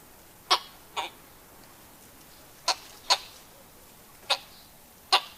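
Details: Grey Go-away-bird, which lives in small groups perched conspicuously on trees and bushes, giving six short, harsh yelps at irregular gaps of up to a second, mostly in pairs, over a faint hiss.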